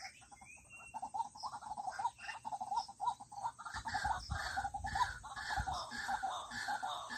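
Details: White-breasted waterhen calling: a fast, steady run of harsh, croaking notes, several each second, continuing throughout and growing fuller and louder in the second half, with a brief thin whistle near the start and low rumble underneath.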